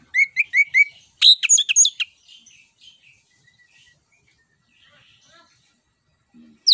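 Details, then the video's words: Song of an Orange-headed thrush played to coax a quiet bird into singing: a quick series of repeated whistled chirps followed by a dense burst of sharp notes, then near silence with faint distant chirps. "PANCINGAN JITU ANIS KEMBANG GACOR NGEROL NGEPLONG"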